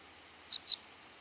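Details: Rock pipit (Anthus petrosus) giving two quick sharp high-pitched call notes in close succession, otherwise quiet.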